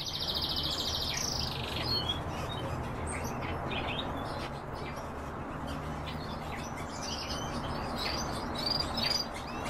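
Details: Kept canaries; a high rolling trill opens the recording for about a second, followed by scattered short chirps and twitters from several birds over a constant low hum.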